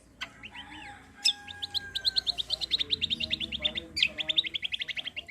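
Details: Cucak kombo song of the besetan and tembakan type, played to coax other birds into singing: opening slurred whistles and a long thin tone, then a steady, fast series of sharp high chirps, briefly broken by a loud note.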